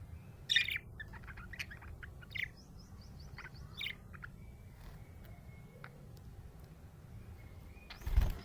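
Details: Happy budgerigar chirping: short bright chirps and quick buzzy notes in scattered bursts, a thin sustained whistle midway, over a low steady background hum.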